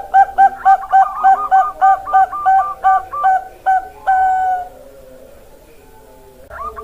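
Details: Zebra dove of the Bangkok type, with a rapid train of short bubbling coos, roughly four per second, ending in one long drawn note, then near quiet and a brief restart.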